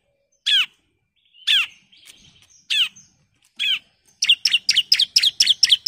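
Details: Female bar-winged prinia calling the male: four separate downslurred, ringing notes about a second apart, then a quick run of sharp high chips.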